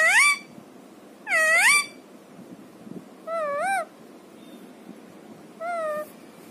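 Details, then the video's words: Four wavering, mewing calls from a pet talking parrot, the first two loud and rich, the later two thinner and softer, spaced roughly every one and a half seconds. "Talking Parrot"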